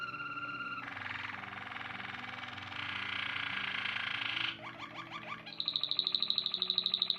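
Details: White Waterslager canary song: a long buzzy rolled passage, then brief rising notes, ending in a rapid, even, high-pitched trill; soft hum underneath.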